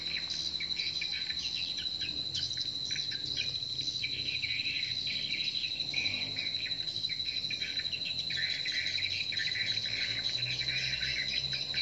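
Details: Swiftlet lure sound for a nest building where competing calls are broadcast: continuous buzzy, crackling chirps in quick irregular bursts, with a constant high-pitched electronic tone running underneath throughout.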